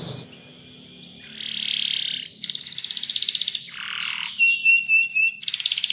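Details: Spanish Timbrado canary singing a training song in varied tours: a soft whistled note, a sustained buzzy roll, a fast metallic trill, a falling slur, then bright clipped chips and another rapid roll.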